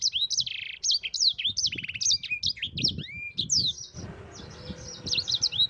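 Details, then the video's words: Yellow-fronted canary in rolling, nonstop song meant for training other birds: rapid high trills and slurred whistled notes tumble together, with one longer descending whistle and faint low background rumble. "Suara Burung SANGER GACOR Ngerol Pedas paling ampuh untuk Pancingan dan Masteran"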